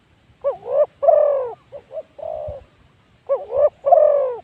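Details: Spotted Dove used as a decoy to lure wild spotted doves, recorded at decoy spot 136. Loud, hoarse coo phrases: a short rising-and-falling note, then a long drawn-out note, a few short notes, and the pattern repeating once more.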